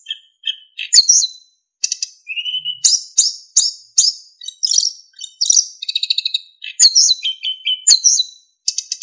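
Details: Lively narcissus flycatcher singing full of fill-in phrases and clear flute-like whistles, used to train other songbirds: soft short whistles, a rising note, repeated ringing high notes and dense buzzy trills.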